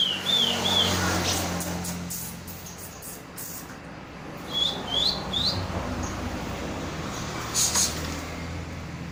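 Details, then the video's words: Grey-cheeked bulbul singing brief bright whistles: a wavering pair at the start, then three rising upslurred notes in close succession midway, over a continuous background hiss and faint clicks. "cucak jenggot(cucak brues) full emosi nembak"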